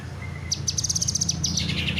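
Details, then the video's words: Kinoy bird delivering a brief run of about ten sharp, high, evenly spaced notes followed by a few looser slurred chirps, with a low steady hum underneath. "burung kinoy gacor"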